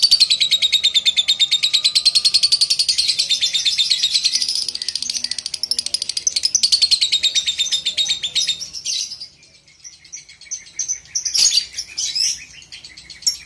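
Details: Lovebird, Balibu type, used as training sound for junior birds: a long, very rapid pulsed chatter, the ngekek, running high and unbroken for about nine seconds, then fading into scattered sharp chirps.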